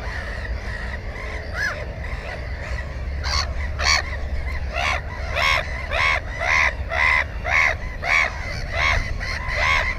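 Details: Black-headed gull at its nest with one egg and one chick, recorded by GoPro on 15 May 2016: a rapid series of loud, harsh, rasping cries repeated almost twice a second, with steady low rumble beneath.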